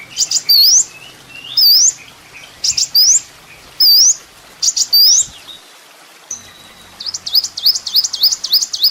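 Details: Kolibri ninja sunbird song, offered as a master recording for training songbirds: high, sharp upswept whistled notes in short bursts about once a second, ending in a quicker run of wavy rising notes.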